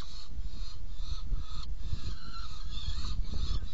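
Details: Saker falcons at a nest box during feeding, 17 June 2018 at 10:31: a drawn-out, harsh, harmonic wailing call that runs almost the whole time, swelling and fading, over a steady low rumble.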